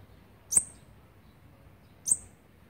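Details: Olive-backed Sunbird nestlings begging while fed, recorded 29 September 2019 on feeding day twelve: a pair of thin, piercing high chips roughly one and a half seconds apart against quiet low rumble.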